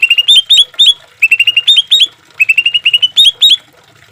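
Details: Green leafbird in a master recording for caged songbirds: rapid clusters of bright upslurred whistled chirps, delivered in tight bursts separated by short pauses.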